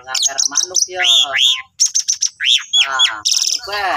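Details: Master song of an Asian pied starling for training cage birds: loud chattering notes, arched whistled slurs, a rapid high chipping series and a final harsh hissing burst, nearly without pause.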